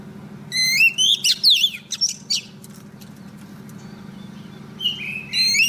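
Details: Female decoy Oriental magpie-robin singing to attract a male for trapping: two seconds of rising whistles and tumbling chirps, a quiet pause, then a fresh clear rising whistle at the end, over a low steady hum.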